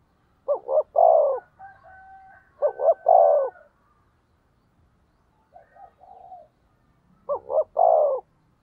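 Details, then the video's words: Captive decoy spotted dove, used to stir up wild rival doves, repeating its phrase three times about every three seconds: two quick throaty notes then a drawn-out coo, with quieter notes between. "Cu Gáy Mồi Thúc/ Kích Bổi"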